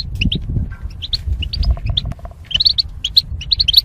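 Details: Goldfinches kept in cages as mating pairs separated by wire barriers, used for singing training: bright, sharp chirps and twittering notes in quick bursts that grow denser toward the end, over a steady low rumbling background.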